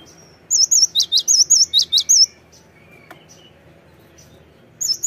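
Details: Cinereous tit used as a lure call: a rapid string of about eight shrill, looping whistled notes, then a pause with a faint click before the calling resumes.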